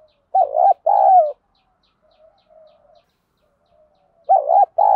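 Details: Spotted dove cooing in the 'field voice' style to rouse trained birds: two-part coo phrases, a quivering note and a longer level note, repeating after a pause of about three seconds, with soft low murmurs between.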